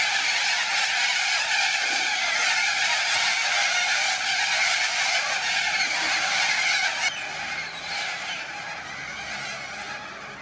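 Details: A flock of little corellas in suburban Melbourne, Australia, on 2 April 2014 keeps up a dense, continuous wall of harsh, grating screeches, with many birds calling over one another.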